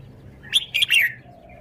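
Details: Red-whiskered bulbul delivering a brief, loud phrase of three quick whistled syllables, bright and liquid, over a quiet low hum.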